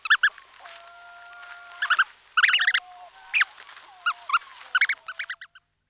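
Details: Brant Goose goslings heard calling from within their eggs at close range: long, level, thin whistled peeps overlaid by clustered, nasal, honk-like notes in irregular bursts, fading out at the finish.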